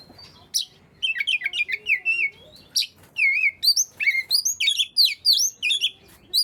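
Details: Oriental magpie-robin in full song to encourage quiet birds to join in: varied loud whistles, rolling warbles and crisp chirps in rapid bursts, with a faint low whistle behind.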